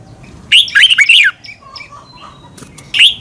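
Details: Caged red-whiskered bulbul from Thailand, recorded so birds learn song: one bright phrase of warbled, swooping chirps, then softer scattered notes and the start of another phrase.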